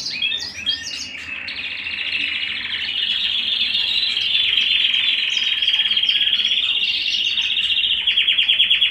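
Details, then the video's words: Canary singing at home: a few sharp chirps open a long continuous buzzy roll of rapid repeated notes that grows louder and steadier. "canary bird - canary singing - canary sounds - canary singing at home"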